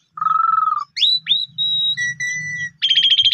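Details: Pundung-type Asian pied starling singing as a lure for stressed or silent birds: a low level whistle, sharp rising slurs, flat pure whistles and a closing buzzy trill, over a faint low hum.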